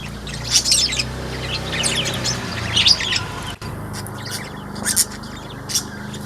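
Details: Caged Sunda white-eye in a small aviary on 1 November 2024, giving scattered clusters of sharp high chirps and twitters between quieter pauses, with a low hum underneath.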